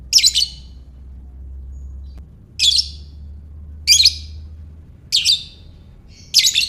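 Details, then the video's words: Lovebird ngekek chatter used to lure other lovebirds into calling: five raspy squawking bursts about a second apart, over a steady low mechanical hum. "Buat Mancing Lovebird Bagus Ini | Lovebird Ngekek"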